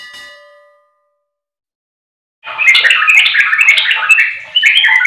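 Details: Sooty-headed bulbul song used as a lure to make a silent bird sing: after a ringing chime and a pause, a loud, dense burst of bubbly, warbled chattering notes runs on continuously.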